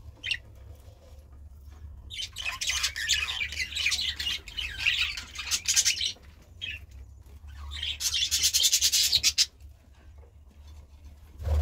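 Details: Two long bursts of rapid, scratchy budgerigar warbling, each several seconds long, separated by quieter stretches with a faint low hum.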